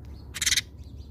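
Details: House sparrows visiting a feeder in South Africa; a short burst of several rapid, harsh, high chirps run together near the middle, with faint lower chirping before and after over a steady background hum.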